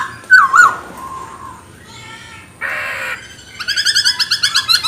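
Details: Chinese hwamei singing to stir other birds: one loud wavering whistle, a harsh rasping burst, then a rapid rhythmic string of short ringing notes.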